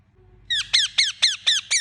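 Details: A pet Indian ringneck parakeet gives six loud, grating squawks, each sliding sharply downward, spaced about a quarter-second apart after a short quiet start.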